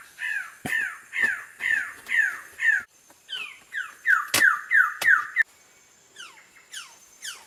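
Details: Greater lophorina calling with harsh, descending, crow-like notes repeated roughly twice a second, followed by a brief pause and a run of rasping notes, ending with a few faint downslurs; loud clicks interrupt.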